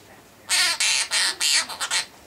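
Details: Male pet half-moon conure singing his favourite tune: a single run of about six harsh, buzzy squawked syllables, the last ones shorter and quicker.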